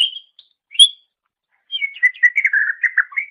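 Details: Master recording of a greater green leafbird for songbird training: two separate high whistled notes, a pause, then a rapid, slightly buzzy warbling phrase that dips lower and rises again at the end.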